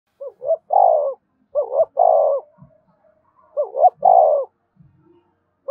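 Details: Spotted dove prodding coo, played so newly caught captive birds coo along all day: three phrases in under six seconds, each a pair of short rising notes then a longer, steady, throaty coo, with brief pauses between.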